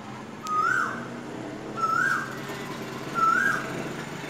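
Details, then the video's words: Asian koel (koyal) singing: three clear whistled notes, each sliding upward, spaced about every one and a half seconds over a faint background hum. "Sound of the Koyal Bird"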